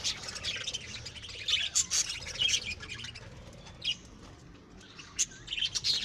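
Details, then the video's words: Home-bred pet lovebirds chirping in scattered shrill bursts, sharp high squeaky notes coming in short clusters with quieter gaps between. "Lovebirds' Sounds Relaxation"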